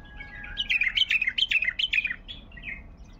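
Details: Baghdadi bulbul 'tayyarat' phrase: a loud, rapid series of about eight bubbling notes in a second and a half, ending in a couple of softer falling chirps.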